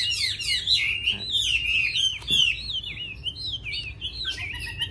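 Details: Chinese hwamei singing a long, lively flow of clear whistled notes that swoop and warble, with rapid trills near the start and a couple of soft clicks mixed in over a low background hum.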